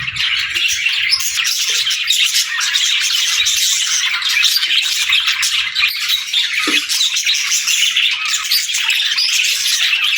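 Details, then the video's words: Many pet budgerigars chatter together, a steady, dense mix of scratchy warbles and sharp chirps that never pauses, with an occasional soft knock in the background. "Bird Chirping Sound"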